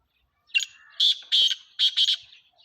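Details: A black francolin gives a loud, rasping call of four or five buzzy, clipped notes delivered in a rapid, slightly uneven rhythm, with the last two notes doubled, against silence.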